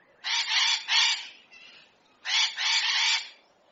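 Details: Hyacinth macaw in nature calling with loud, coarse double squawks, two pairs of rasping notes about two seconds apart with a fainter note between.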